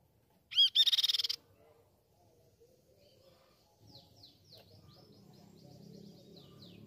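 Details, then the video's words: Grey-cheeked tit-babbler song used to train and provoke caged birds into singing: one quick rapid trill of pulsed notes, followed by fainter high swooping whistles from other birds over a low background rumble. "Masteran & Pancingan Burung Tepus Pipi Perak Gacor"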